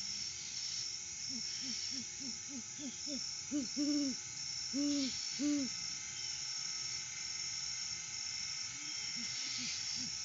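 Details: Off-season great horned owl, a male alone at the nest tree at 6:17 AM sunrise on a live cam: a quick run of six soft low hoots followed by three fuller, longer hoots, then quiet with steady hiss.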